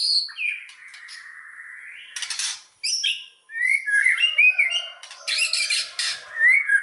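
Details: White-rumped shama lure song meant to make other shamas sing fully: a long held whistle, harsh rasping bursts, then varied chattering and whistled phrases.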